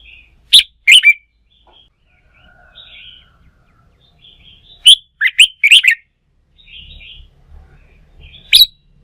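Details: Bulbul of the red-whiskered kind, wild-caught and stimulated to sing for fighting-song training, repeats loud clipped whistled phrases about every four seconds, each a quick cluster of bright notes, with faint twitters and low hum between.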